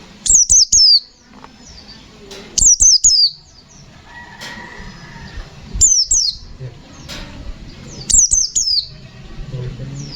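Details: Pleci in fighter ngalas nembak style: short clusters of three or four piercing, descending whistles repeated about every two and a half seconds, with quiet background hiss between clusters.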